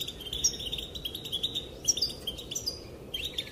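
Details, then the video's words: Female European goldfinch calling, said to make males dance: short bright chirps and twittering notes in quick, uneven bursts, with a faint low background hiss. "Sounds and calls of the female goldfinch make the males dance"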